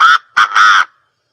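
A quail gives three quick, harsh, nasal notes, a short one, a brief pause, then two more with the last drawn out, with no other sounds.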